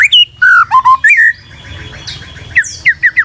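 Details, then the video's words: Loud white-rumped shama song: ringing whistled notes and sharp downward slurs, a short buzzy rattling passage, then a run of quick repeated whistles. "Masteran Burung Murai Batu"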